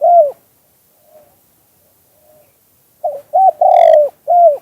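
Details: Spotted dove in the two-kuk-hoi song style. A falling coo is followed by quiet murmuring notes, then a full phrase: a short note, two clipped coos, a long loud coo and a closing curved coo.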